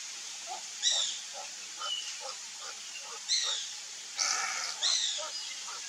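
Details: A wild pair of Whistling Herons (Maria-faceira) in the Cerrado of Brazil, giving high, thin descending whistled notes in four short bursts, with softer, lower notes repeated steadily in between.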